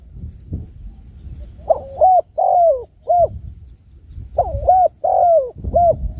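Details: Spotted dove repeats a mellow cooing phrase twice, each made of short hooting notes and one longer sliding coo that dips at its end, over a low murmur of background noise.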